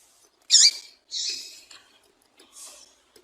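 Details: Female double-collared seedeater calling to stir up a male: one loud sharp high chip followed by two softer, hissy high notes spaced about a second apart, recorded in a quiet setting.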